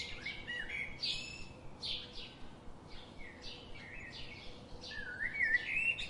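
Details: Chirping from birds that visit the garden each day: quick, irregular sharp chips with twittering bursts, rising to a clearer rising trill near the end.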